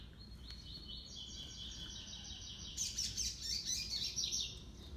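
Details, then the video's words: Double-collared seedeater song from a singing contest between a six-month-old brown male and a black male: a high, rapidly pulsed trill that grows denser and louder midway over a steady low background hum. "COLEIRO PARDO DISPUTANDO CANTO COM COLEIRO PRETO"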